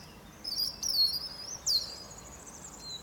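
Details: European robin singing its morning trills on a fir tree: high thin whistled phrases, sliding notes and a rising trill in separate bursts, with quiet pauses between.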